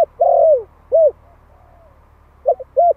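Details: Young Malay spotted dove, one year old, calling to attract other doves: a long falling coo followed by short arched coos, a faint soft note and a quick double coo, steady low rumble behind.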